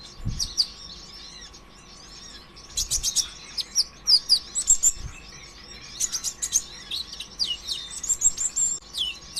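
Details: High, busy sunbird chatter played to prompt other sunbirds to sing, dense clusters of sharp ticks and squeaky slurred notes arriving in two long bursts, with a steady background hum throughout.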